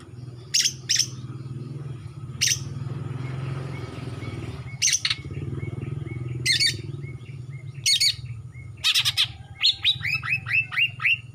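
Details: Greater green leafbird, a young Kalimantan male just out of spotted plumage with a blackening throat, in full song. Scattered sharp chips, then a rapid run of downslurred whistled notes near the end, over a steady low hum.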